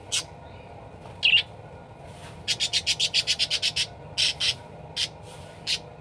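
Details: Lively parakeet chatter meant for training other birds: a few scattered high squeaks, then a fast run of ten clipped chirps, followed by spaced bright notes, over a steady low background hum.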